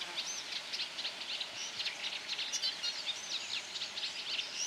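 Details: Eurasian reed warbler singing a steady, scratchy, chattering stream of short high notes without pauses, moderately distant over a soft background hiss.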